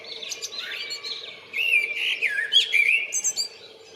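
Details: Blackbird song on 28 February, given while calling for a mate: unbroken mellow, flute-like warbling that swoops up and down, with squeaky high twittered notes tacked onto the phrase ends and a low steady background hum.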